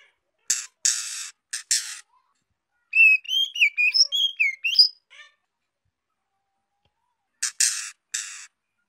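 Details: ['Young female white-rumped shama singing to stimulate males: harsh, buzzy broadband bursts open and close the clip, with a quick run of varied whistled notes, some rising, some falling, in the middle.']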